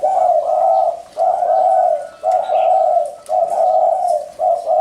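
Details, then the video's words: Spotted dove cooing close and loud: long, smooth, low coos repeated about every second, with faint bird chirps behind. "Tiếng chim cu gáy có giọng gù hay nhất"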